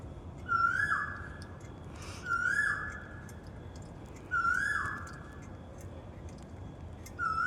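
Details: Koel calling in a Janakpur park, four ringing whistled 'ko-el' notes that rise steeply then drop, spaced roughly two seconds apart, with thin high twitters from other birds in the background.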